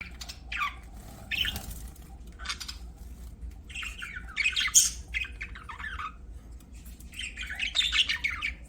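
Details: Pet budgerigars chirping: bursts of harsh, buzzy warbles and squawky chirps at irregular intervals, with quiet gaps between, over a low steady background hum.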